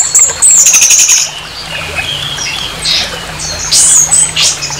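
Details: Harsh orange-headed thrush song meant to rouse another thrush's aggression, with very high, thin sweeping whistles, buzzy trills and rasping notes in loud clusters, then a quieter stretch before more shrill bursts.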